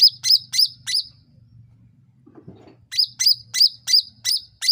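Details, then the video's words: Sooty-headed bulbul calling in a lure recording meant to make others answer quickly: four sharp high chirps, a short gap with a soft thump, then seven more evenly spaced chirps above a low hum. "SUARA CUCAK RANTING MEMANCING NGOTOT PALING CEPAT NYAUT"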